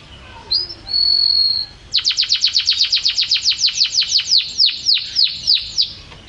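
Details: Canary singing in champion style: a thin whistled note, then a long, fast, evenly repeated series of descending sweeps, roughly four per second, ringing and bright to the end.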